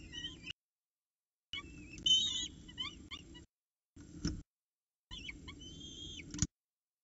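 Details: Peregrine falcons at the nest at Orange CSU, 7:07 am on 26 October 2019: male brings breakfast and female feeds chicks. High wavering squeals and thin chirps come in short bursts, with low rumbling background noise.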